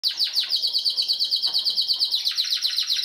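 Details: Spanish Timbrado canary singing a fast metallic trill of sharp repeated notes, close to three per second, with rolling bell-like phrases and a brief continuous whistled stretch in the middle.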